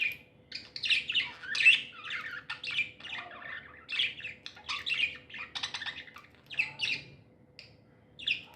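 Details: Happy pet budgerigars chatter loudly with high chirps and harsher squawky notes packed closely together, the calls rising and falling in volume, a low hum in the background.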